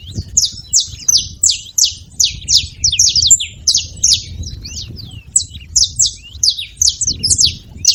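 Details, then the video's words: Continuous busy chirping of a saffron finch at a feeder, high downslurred notes tumbling in quick succession for the whole stretch, with low background noise beneath. "Canário da terra fazendo barulho na seva"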